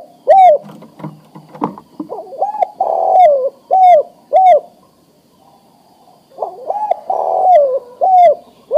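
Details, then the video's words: Adult male spotted dove ready to breed calls a female with repeated cooing: short upswept notes and a drawn-out falling coo, two phrases split by a quiet gap, with faint rustling in the background. "Suara Tekukur Jantan Memanggil Betina Siap Di Kawinkan"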